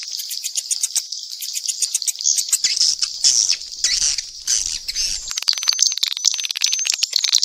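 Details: Swiftlets calling together in a mix, a busy stream of high buzzy chirps and rattling twitters, ending in fast ticking pulses under a steady high thin tone.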